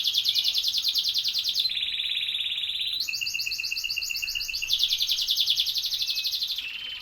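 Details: Canary pouring out a loud, high song of fast pulsed trills that switch between a bright upper roll and a lower steady buzz, then return to the bright rolling trill.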